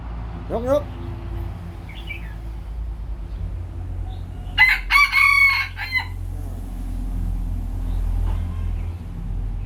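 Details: Crowing of a Lao chicken cockerel: one loud, rasping, multi-part crow of about one and a half seconds midway, after a few short rising squeaks and faint chirps, over a constant low hum.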